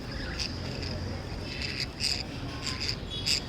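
Lovebirds give short, harsh, high chirps in irregular bursts over a steady high insect-like whine and low background rumble.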